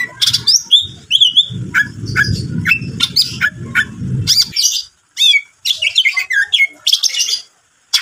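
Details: Greater green leafbird in lively song used as a lure to provoke rival birds: clear whistled phrases, quick slurred notes and sharp chirps in bursts separated by short pauses, with low rumbling background noise during the first half.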